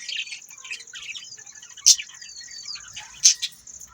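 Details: Budgerigar warbling: soft, scratchy chirps and a few thin whistled slides, broken by two sharp clicks, over a continuous high whine.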